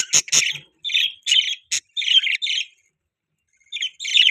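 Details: Budgerigar chirping in a breeding flock: a few sharp clicks, then short warbled, buzzy chirps in small groups separated by silences.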